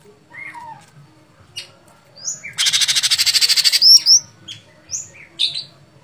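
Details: Sooty-headed bulbul singing vigorously in fighting style: scattered whistled notes and a downslurred phrase, then a harsh rapid rattling burst of about a dozen pulses lasting over a second, followed by sharp high chirps and whistles.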